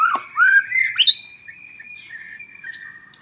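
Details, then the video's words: White-rumped shama song opening with loud slurred whistles and a high sweeping note, trailing into a long thin sustained whistle with soft chips. "suara burung murai auto gacor"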